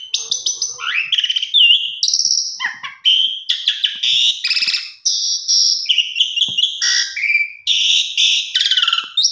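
Asian pied starling pouring out a rich, unbroken song of clear high whistles, rising slurs and harsh chattering notes, bright and varied throughout.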